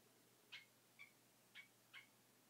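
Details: A pet red-rumped parrot, with a pet poodle it tries to preen, gives four short, bright chirps about half a second apart, high-pitched and clipped, over a faint low indoor hum.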